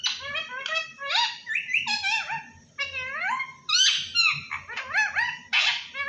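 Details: A pet parrot talking, mimicking the phrase "Allah Hoo" in a string of harmonic, voice-like syllables that slide up and down, several separate phrases over six seconds, indoors with a low background hum.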